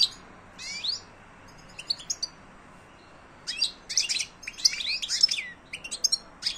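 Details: ['Silvestrismo European goldfinch singing in short bursts of high tinkling, buzzy twitters separated by quiet pauses, becoming denser and more rapid toward the end over a faint background hiss.']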